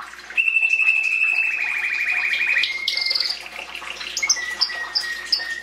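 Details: Belgian canary singing in the 2016 breeding season to encourage chicks: a long steady rolling trill lasting about two seconds, a brief higher note, then a series of spaced high chirps over a lower sustained tone.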